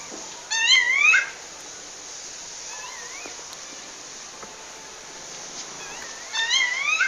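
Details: Female rufous-bellied thrush calling a male in the wild in Pernambuco, Brazil: loud, rising slurred whistled phrases at the start and end, with softer distant wavering whistles between, over constant high-pitched insect hiss.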